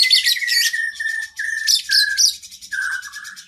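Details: Oriental magpie-robin pouring out an energetic training song for cage birds: loud clustered chirps over sustained whistled tones, in choppy phrases broken by brief gaps, ending with a dipping whistle.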